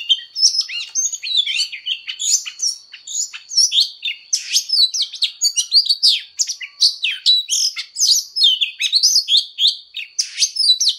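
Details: Oriental magpie-robin in fighting song, training its voice at full intensity. It delivers dense, continuous phrases of clear whistles, downslurred notes and scratchy chips with almost no gaps, over a faint steady high tone.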